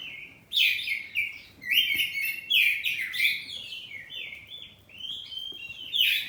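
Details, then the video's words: A household kacer poci magpie-robin delivers ngeplong song in a call-and-answer exchange. Loud, continuous phrases of slurred whistles and rapid chatter follow one another almost without pause, with bursts of buzzy overtones. "Kacer ngeplong saut2an || kacer poci rumahan || suara kacerpoci"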